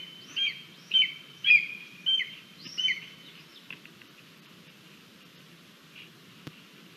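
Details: Lesser spotted eagle chick, a hungry female at the nest on 28 July 2022, fed a frog and a vole by its parents, live nest camera: five loud shrill whistled calls in quick succession, then fainter clicks and background hiss.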